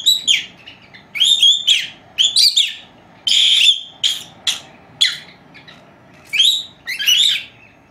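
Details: Two young female lovebirds four months old, kept as house pets and napping, giving varied whistled chirps and squawks in irregular bursts, some rising and falling, over a quiet indoor background.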